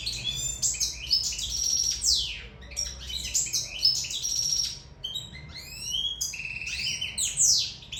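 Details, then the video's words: Singing Sicilian European goldfinch in love: lively tinkling chatter with sustained thin whistled notes, buzzy rattles and descending slurs, phrases repeated in dense bursts with short pauses. "Favoloso canto cardellino siciliano in amore"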